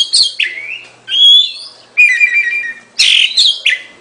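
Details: Oriental magpie-robin song of separate whistled phrases about once a second, each opening with a harsh scratchy note and sliding into a clear drawn-out whistle.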